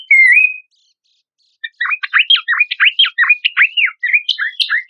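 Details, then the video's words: Horsfield's babbler, used as masteran material for songbird contests: one clear dipping whistle, a second of silence, then a rapid, steady string of downward-swept chirps. "PANCINGAN AMPUH PELANDUK SEMAK MASTERAN"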